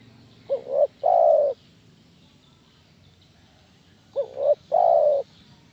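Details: Spotted dove call used as a lure for other doves to respond: two phrases roughly three and a half seconds apart, each a double rising note then a long, full, gently descending coo.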